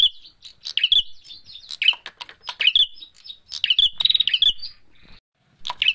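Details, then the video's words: Bar-winged prinia fighting-call lure sound: rapid, high, sharp chirps and scratchy twitters in agitated bursts, with a few harder clicks and short pauses between. "SUARA PIKAT PRENJAK MERAH TARUNG"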